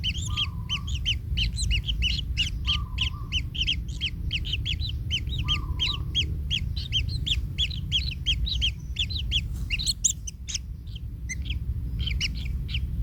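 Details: Baby kingfishers in the nest, a chick hurt when stepped on by the parent: dense bursts of harsh, scratchy begging notes, fast and uneven, thinning out toward the end over constant low rumbling background.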